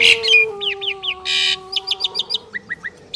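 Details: Two Asian pied starlings singing in duet: a harsh buzzy burst, then a run of quick rising whistled notes and rapid chattered clicks, over a steady low electrical-sounding hum.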